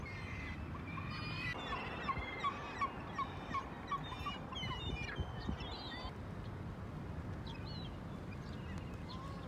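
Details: Gulls at Choshi port, Japan, 11 March: a run of short, evenly spaced yelping notes, about three per second, among other squealing flock calls, over low harbour rumble.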